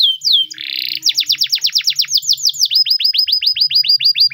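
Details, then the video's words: Training song of a Spanish Timbrado canary, opening with a falling slur and a short buzzy trill, then quick repeated clipped notes that shift to a slightly lower, faster rolling series. "The best Timbrado canary singing video!! Canary Training song"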